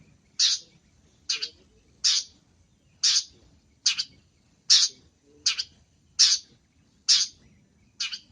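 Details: Long-tailed shrike (cendet) singing actively in a training recording full of varied fill-in song; harsh, rasping high-pitched notes repeated roughly once a second, about ten in a row, with a quiet background.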